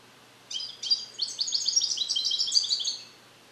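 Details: Song-trained captive European goldfinch, a male born in the USA in 2021 beginning to repeat Neapolitan passages, recorded isolated in a carrier: one continuous phrase of rapid, liquid, buzzy twittering lasting about two and a half seconds.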